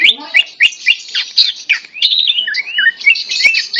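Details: Held in the hand, a tame greater green leafbird sings energetically: clipped chirps repeated rapidly, leading into smoother whistled slides and warbling phrases.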